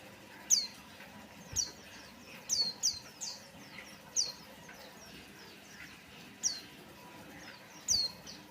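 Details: Lure song of a white-eye meant to get other birds singing: piercing high notes each dropping in pitch, spaced irregularly about once a second, some paired, against low steady noise.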